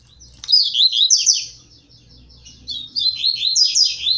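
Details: Caged blue-black grassquit competing with seedeaters, delivering a strong seedeater-like tui tui zel zel song. Two dense phrases of rapid high twittering slurs split by a short lull, over a faint low hum.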